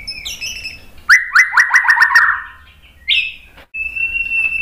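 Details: White-rumped shama song for provoking other birds to sing back: soft whistles, then a rapid trill of about eight sharp repeated notes, a loud rising whistle, and a sustained clear note.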